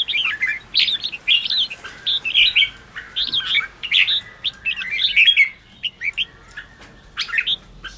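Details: Red-whiskered bulbul singing energetically, a recording meant to stimulate wild-caught caged bulbuls: chattering, tumbling whistled notes repeated in short phrases, fading toward the end with sparse chirps.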